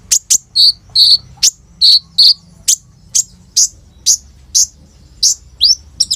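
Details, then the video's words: Kolibri ninja sunbird singing full of imitated phrases, phone recording: sharp high clicks alternating with short pure whistled tones about twice a second, finishing with falling chirps and a quick chip cluster. "SUARA BURUNG KOLIBRI NINJA GACOR FULL ISIAN ROLL TEMBAK INI, COCOK BUAT PANCINGAN KONIN BAHAN/IJOAN"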